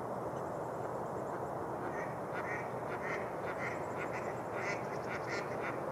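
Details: Mallard flocks at Rush Lake, New Brighton, Minnesota, in early spring as ice melts near shore on a day above 60 F, quack in short, nasal overlapping bursts over a steady rushing background of wind or water.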